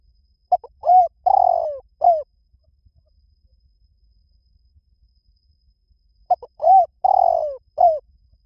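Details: Spotted dove coo in the liw tan style, played to lure and train another spotted dove to coo back: two full phrases about six seconds apart, each of quick short notes, a long drawn-out falling coo, then a clipped final note.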